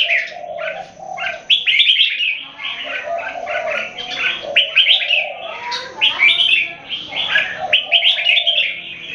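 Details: Caged red-whiskered bulbuls from Singapore sing against each other in a keke competition. The bubbly, fast phrases overlap almost without pause, with chirpy slurs and sharp upswept notes over a lower warbling band.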